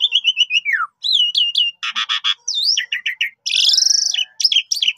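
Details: Jalak suren, the Javan pied starling, singing gacor as pancingan: repeated falling whistles, twanging upslurs, a dense buzzy burst, quick chipping notes, then a loud rasping buzz and sharp clicks.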